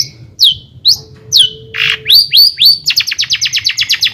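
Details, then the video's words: Long-tailed shrike singing a lure song meant to excite other shrikes into song: varied sharp downslurred whistles, a brief rasping burst, then a fast run of about a dozen bright, evenly repeated high notes. "kicauan Cendet Gacor AMPUH ISIAN MEWAH JUARA COCOK buat pancingan CENDET agar NAIK EMOSI JADI GACOR"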